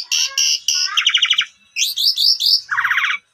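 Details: Lure song of an Asian pied starling for a bird that has stopped singing: harsh clipped notes, a rapid rattle, rising whistled slurs and a closing rattling trill.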